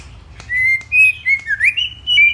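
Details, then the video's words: White-rumped shama song for stimulating other shamas: a clean sequence of sustained whistled notes, level then wavering, with one rising swoop, in a quiet setting. "Kích Chòe lửa hót nhiều giọng"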